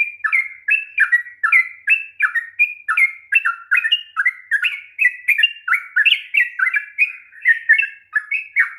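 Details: Sooty-headed bulbul delivering its long rapid 'ropel' song to stimulate a reluctant singer: dense, unbroken series of short sweet whistles, mostly falling in pitch, packed several per second into a fast, bubbling chatter.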